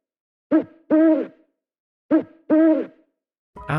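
An owl gives two hooting phrases, each a short note followed by a longer, drawn-out one, about a second and a half apart; another sound begins at the end.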